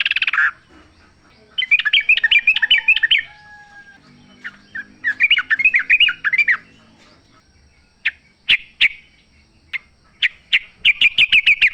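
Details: Wild sooty-headed bulbul singing, played to draw song from a caged bird: rapid chattering trills in two long runs, then spaced sharp chirps building into a fast rattling series.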